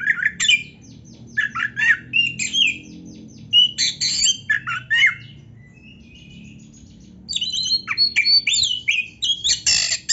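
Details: White-rumped shama in bursts of quick, chattering song: clusters of rapid high chips and whistles, a quieter pause of soft notes, then a renewed dense run of sharp notes.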